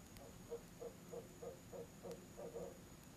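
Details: Barred owl at its nest box on an October evening, mate joining in outside the usual season; a steady string of soft, mid-pitched hoots roughly three per second, ending in a doubled note.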